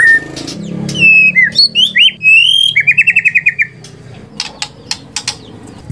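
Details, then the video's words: White-rumped shama (murai batu) lure song: a few loud slurred whistles followed by a rapid run of about eight even notes, then fading to scattered faint clicks. "murai batu macet bunyi ikut terpancing emosi langsung gacor"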